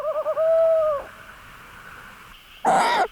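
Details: At night in a forest in Bonghwa, North Gyeongsang, Korea, during breeding season, a male Tawny Owl signals he has brought prey: quick stuttering notes, then one long mellow hoot; the incubating female's brief harsh screech urges him to bring it.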